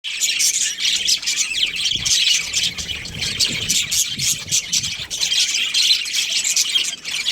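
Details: Breeding pair of budgerigars chirping: a dense, continuous stream of high, scratchy twitters and chatter with short squawky bursts, plus faint low rumbling underneath around the middle.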